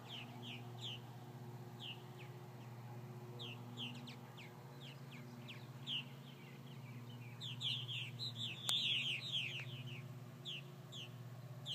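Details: Purple martins following several hawk attacks: quick, clear chirped notes repeated about four per second, growing busier and louder toward the end, with a low droning hum underneath.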